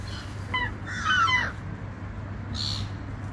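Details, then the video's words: Seagull flying near the ocean gives a short nasal squawk, then a louder drawn-out wavering cry, followed by a brief hiss of surf against a steady low hum. "Seagull Sounds"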